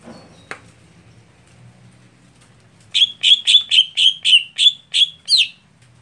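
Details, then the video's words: Greater green leafbird, used to prime a bird slow to perform at contests. A lone click comes first, then after a pause a rapid run of about ten buzzy chirps at an even beat, the last slurred downward. "Setting Khusus Cucak Hijau Saat Lomba Lamban Panas / Telat Kerja"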